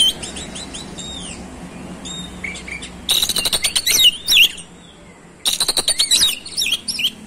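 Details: Soft whistles and chirps give way to two fast, loud bursts of rattling notes and sweeping slurred whistles from an oriental magpie-robin, separated by a brief lull; low hum throughout.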